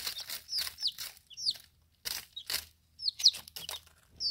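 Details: Young chicks within their first ten days, feeding and drinking: scattered high peeps that slide downward, given in short bursts with pauses, among broad rustling and tapping noises.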